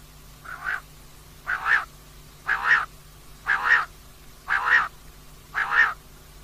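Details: Female common quail calling at night for hunters: six hoarse, rasping double-pulsed notes repeated steadily about once a second, each slightly rising.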